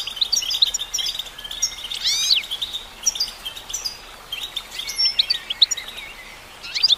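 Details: Female goldfinch song of twittering chirps mixed with buzzy rising sweeps and slurred whistles, set over steady background hiss.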